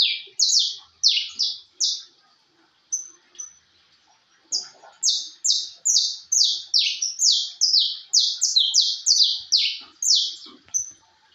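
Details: Canary of the Brazilian type called "de porte", singing vigorously: fast runs of bright, high, downward-sweeping notes, about two per second, broken by a short pause near the three-second mark before the rapid series resumes.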